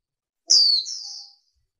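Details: A female warbling white-eye gives one high whistle that drops in pitch, then continues as a slightly lower, drawn-out tone for nearly a second.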